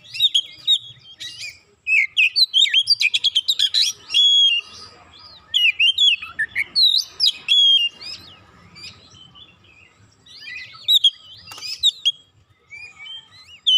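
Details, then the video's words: Emotional, provoked kacer (Oriental magpie-robin) unloading its isian repertoire in a long performance: fast rattling note series, swooping whistles and chirps in repeated bursts with brief pauses, closing with a final sharp burst. "Kacer sekali pancing langsung emosi bongkar isian"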